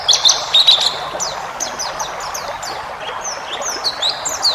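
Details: White-eye song in the wild-type 'ngalas' style, full of varied phrases, used as a training recording for caged birds: thin, high, rapid twittering chirps and short downslurred whistles, busiest at the start, over a steady background hiss.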